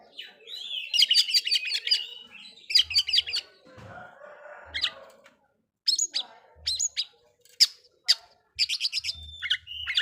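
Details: Oriental magpie-robin song aimed at provoking other magpie-robins: rapid chattering bursts, then short separate sharp whistled notes and chirps after a brief gap, with faint thumps.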